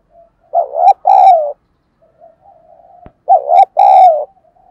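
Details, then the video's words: Decoy spotted dove of the thổ voice type coos twice, each phrase a brief wavering note and a longer downslurred note, with a sharp click between phrases and faint coos in the background. "Chim Cu Mồi gáy kích bổi hiệu quả mỗi ngày"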